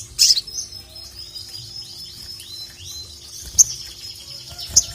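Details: Ruby-cheeked sunbird song meant to call a rival: a fast run of high, downward-slurred thin notes over a sustained high tone, punctuated by sharp ticks.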